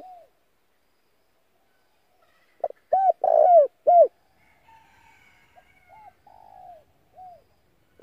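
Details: Spotted dove decoy call to lure wild doves: a run of arched hoots around a burred coo, followed by softer scattered coos and a faint higher chirp.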